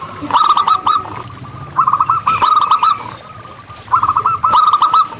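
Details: Wild local zebra dove song. Short bursts of quick, rattling staccato coo notes come in groups about every second, with a faint low murmur in the background.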